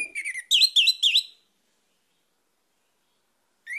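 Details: Orange-headed thrush song used as a lure to make other birds sing: a quick run of whistles, including three loud, wavering looped notes, then silence before another note starts.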